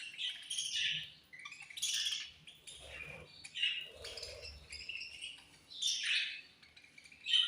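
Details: Budgies chirping at feeding time: quick, squeaky warbled phrases and bright chirps in uneven bursts, with soft low bumps and movement sounds beneath.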